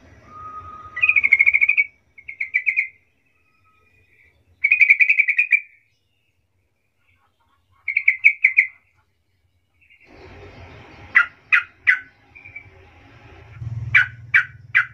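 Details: Yellow-vented bulbul with a soft-voiced lure to prompt replies from other bulbuls: several bubbly trilling phrases, later sharp clipped chips, with a rumbling low background noise at times.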